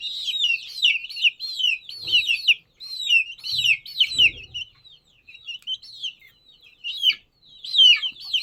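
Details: Chicken chicks peeping in a dense, overlapping chorus of high, thin cheeps, each a quick rising-then-falling chirp, running almost continuously with brief pauses around the middle; faint low thumps occasionally underneath.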